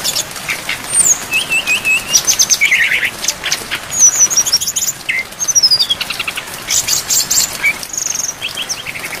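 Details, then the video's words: Brown-chested jungle flycatcher song packed with imitations, meant for training songbirds, with rain behind. Alternating wavering whistles, descending chirp runs and harsh bursty phrases follow each other with little pause. "MASTERAN SRDC FULL ISIAN DAN AIR HUJAN DURASI PANJANG"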